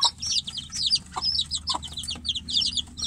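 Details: Caged chicks call for their mother outside. Bright, high, downslurred peeps overlap in a busy cluster, with a few lower thuds among them.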